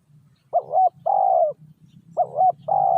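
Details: Spotted dove used to lure wild doves repeats a two-part coo twice: a wavering upslur, then a long, rough, even coo. A low, steady hum runs beneath the calls.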